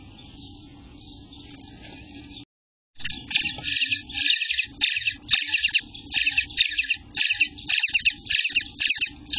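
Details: Eighteen-day-old Eastern bluebird nestlings calling from the nest on a June 2021 morning: after a brief silence, a fast run of harsh, high buzzy bursts repeated close together, roughly one per second, with a low background hum.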